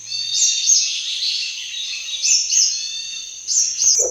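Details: Sunbird call used for hunting: short, high, quick-falling notes in loose pairs, repeated several times over a continuous shrill background tone.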